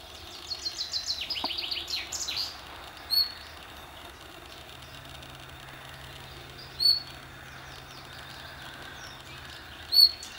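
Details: A common nightingale at Hullehavn, Bornholm, opens with a rapid run of falling, rattling notes, then gives single piercing whistles every three to four seconds over a faint low hum.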